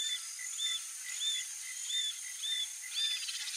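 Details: A young roadside hawk (Rupornis magnirostris) begs its parents for food with thin, high, arched squeals, about one and a half per second, over a steady hiss of background noise.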